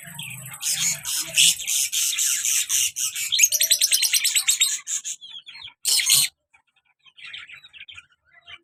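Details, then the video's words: A pair of lovebirds, a colour male and a black-mask female, very active, chatter in fast, shrill, scratchy bursts of several a second, with a harsh louder squawk near the end over a faint low hum at first. "love bird male and black mask female beautiful sounds"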